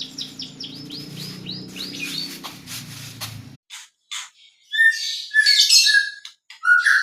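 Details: White-rumped shama song used to get birds singing fast. A quick series of rising whistled notes plays over a low hum, then stops abruptly and gives way to scattered sharp chirps and high twittering phrases.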